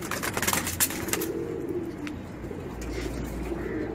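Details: Racing pigeons kept with children, giving low, soft cooing murmurs that start after a burst of rustling and clatter, then continue as drawn-out hums under faint room noise.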